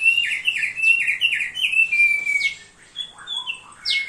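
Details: Thick-billed heleia song for training: a brisk series of repeated downward chirps around 2–3k followed by higher sweeping whistles and a final rising note after a short lull.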